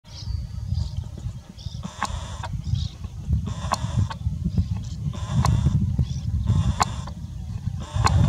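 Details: A pair of coscoroba swans at Chaco Lodge on 4 April 2018 gives loud, nasal, trumpeting honks about every one and a half seconds over heavy low rumbling wind noise.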